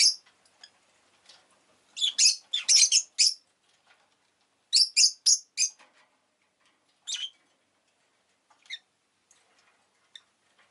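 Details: Rosy-faced lovebird giving rapid bursts of shrill, harsh chirps in quick clusters of three to five, separated by short pauses, then sparser single notes. Town noise from engines and bicycles is part of the recording.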